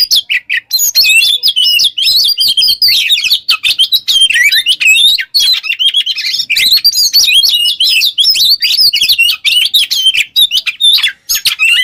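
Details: Sustained vigorous song of an Oriental magpie-robin in 'ngobra teler' style, played as a lure for masteran training: dense, nonstop stream of scratchy chatter, whistles and mimicking trills.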